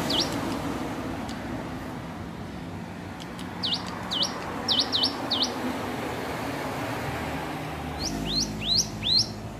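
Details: Hill prinia practising its song: scattered single upslurred whistles, then a loose run of bright rising notes, and a final burst of four quick ascending chirps over low background rumble.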